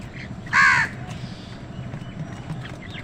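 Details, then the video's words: A single harsh crow caw, short and loud, rises out of a low rumbling outdoor background where crows and other birds contend for food; faint chirps follow. "কাকের ডাক crow sound"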